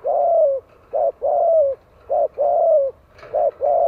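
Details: Vietnamese spotted dove giving its lure call for attracting wild doves: a run of loud, clear coos, brief notes paired with longer slurred ones sliding slightly downward, repeated about once a second.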